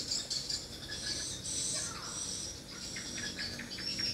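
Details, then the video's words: Many swiftlets twitter together at a mini swiftlet house, a shrill, continuous chatter of quick chirps with a faint lower swoop in the middle. "rbw mini walet respon joss"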